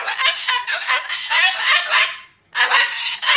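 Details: Pet Moluccan cockatoo scolding its owner, a two-second stretch of hoarse loud talking, a brief pause, then another harsh outburst; laughter follows.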